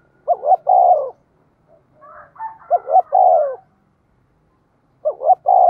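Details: Spotted dove decoy cooing in rapid succession to attract wild birds: three low phrases of two clipped hoots and a longer note, with fainter overlapping tonal calls between the first two.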